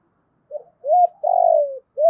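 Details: Spotted dove kept as a decoy, calling to attract wild birds. A soft opening note, then an arched hollow coo and a long vibrating coo that falls in pitch, with another arched coo starting at the end. The recording is clean and quiet.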